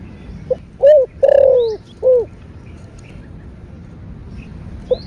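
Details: A single cooing phrase by a spotted dove singing in the 'thổ' voice to spur other doves: faint lead note, hooked coo, long slightly falling coo, final short coo, then a faint note starting again near the end.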